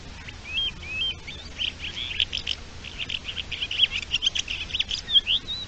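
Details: A Thekla's lark gives its courtship song on 27 March 2021: a few clear whistled notes, then a fast, varied stream of high warbled and chattering phrases with no break.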